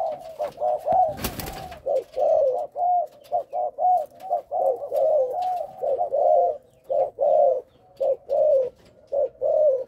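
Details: Young spotted dove of a Malaysian line giving soft, mellow coos in quick, uneven bursts, the first three notes stuttered. A sharp knock sounds early on.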